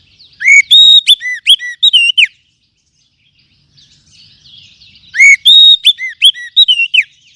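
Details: Lure song for Oriental magpie-robins, meant to lift the mood of settled and young spotted birds: two bursts of loud, ringing whistled notes with quick up-and-down slurs, separated by a soft, scratchy warble.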